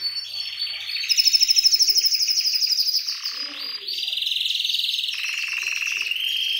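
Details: Syrian canary singing a loud, fast song of rapid trills, shifting between pulsed buzzy rolls and bright rattling phrases at varying pitches.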